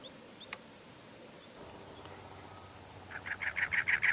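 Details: A cactus wren at Anza-Borrego State Park gives a harsh, rapid, repeated churring chatter, like a car struggling to start, about eight notes a second, after a quiet background.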